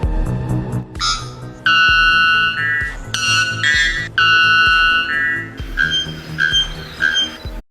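A bellbird gives loud, ringing metallic notes, each held about half a second to a second, in a run of five or six. Background music plays throughout.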